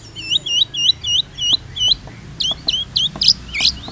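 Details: Shama song for tutoring other shamas: clear hooked whistles repeated roughly every quarter second, then higher, sharper downslurred notes ending in two louder ringing ones, with faint clicks in the background.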